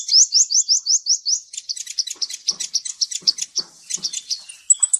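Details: Ninja sunbird song played as a lure to prompt a quiet bird to sing: an opening run of seven quick rising high notes, then a dense jumbled stream of sharp high twitters.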